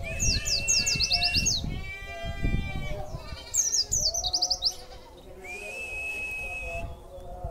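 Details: Kept white-eye (pleci), made to sing after feeding and extra fooding, with song material called wit-wit. Bursts of quick, high, descending chirps come in rapid series, with a long, steady, thin whistle and a nasal, harmonic bleat between phrases. Low hum underneath.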